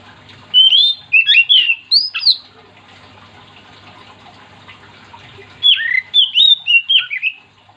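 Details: Oriental magpie-robin in full song, used to get other magpie-robins singing along. Two clusters of bright, varied whistles and slurred notes separated by a quiet gap of roughly three seconds, over a soft background hum.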